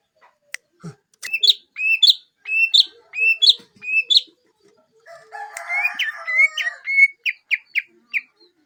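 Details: Greater green leafbird song: repeated sharp upward-flicked whistled notes about every half second, then a jumbled warble and a run of quick rising chirps.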